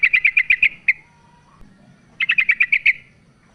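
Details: Calling female sooty-headed bulbul summoning a male, used to coax a reluctant male into song; two rapid bursts of about seven crisp, evenly spaced chirps each, separated by a one-second gap, with a soft low hum behind.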